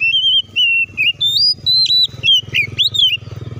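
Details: Oriental magpie-robin singing to provoke other magpie-robins to join in: loud whistled phrases, steady notes alternating with quick upward and downward slurs, about ten bursts over a few seconds, with a low rumbling noise beneath.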